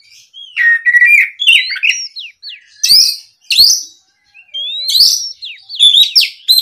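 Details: Oriental magpie-robin, stirred by a rival, sings steady whistled notes followed by scratchy buzzes and rising slurs, in several bright bursts with brief quiet spaces.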